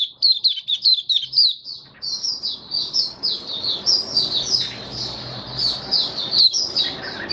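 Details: High, rushing warble from a caged white-eye doing 'buka sing', recorded 18 May 2022 after deworming with health supplements, the twittering almost unbroken for seven seconds over mild background hiss.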